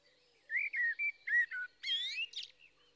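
Blackbird singing: a run of low, mellow fluted notes followed by a higher, squeaky twittering flourish, all within about three seconds against a quiet background.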